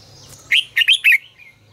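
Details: Red-whiskered bulbul singing a fiery "ché căng lửa" phrase, meant for training the voices of kept bulbuls. One quick phrase of four loud, clear whistled notes, the last one falling.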